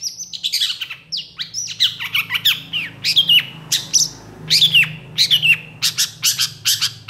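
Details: Excited long-tailed shrike in full mimicry song, responding to another shrike: harsh, squawky, falling notes and twangy downward slurs in uneven groups, ending in a run of dry, rapid clicks, with a low background hum.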